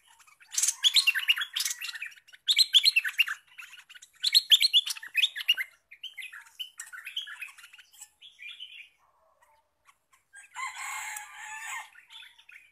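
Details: Recently trapped olive-winged bulbul singing eagerly, ready to become a lure bird: lively chattering, warbled bursts for several seconds, fading to softer phrases, then a brief harsh, scratchy burst near the end.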